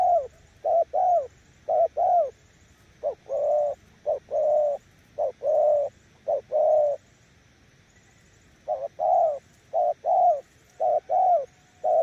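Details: Nước gù cooing from a spotted dove decoy, Kon Tum. Mellow low coos in short-then-long pairs, repeated steadily, with a quiet gap of about two seconds before the series resumes.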